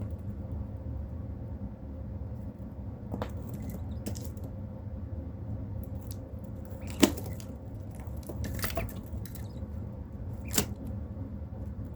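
Low background rumble with a few sharp clicks and taps, like wood or small objects knocking, and no animal voice.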